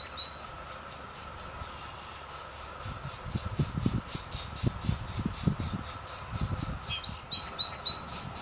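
Pileated woodpecker chicks give a steady, rapid series of high, buzzy begging pulses, several per second. Brief whistled notes and low thumps are also heard.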